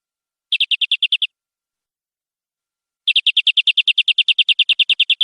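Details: Canary song used as long tutoring material for young birds: a short rapid trill of evenly repeated high notes, a two-second pause, then a longer matching trill, with no other sounds.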